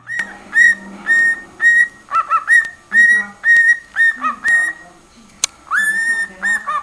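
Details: Cockatiel singing, a series of clear whistled notes, each with a quick upward slide and held tone, repeated about twice a second in a broken, tune-like phrase, with a soft low hum underneath.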